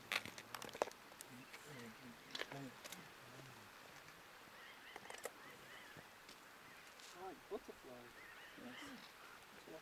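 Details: Flock of pinyon jays at Owens River, California, in 2012, gives many short, nasal, slightly laughing calls overlapping at an uneven pace, with people talking quietly in the background.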